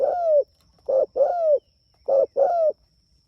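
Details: Calling its companions, a chatty Spotted dove gives soft low coos in pairs, a short note then a longer drawn, slightly falling coo, repeated three times over a faint steady high tone.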